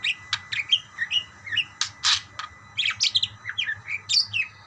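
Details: Parakeets answering one another in a lively mix of bright chirps, downslurred squeaks and brief harsh bursts, tumbling irregularly with faint low hum beneath.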